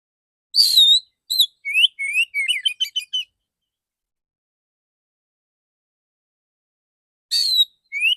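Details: Male kacer (Oriental magpie-robin) singing in a loud, open, clear "dor dor tembakan" shooting style, used as therapy audio: a burst of varied high whistles, slurred notes and quick chips for about three seconds, silence, then another short burst.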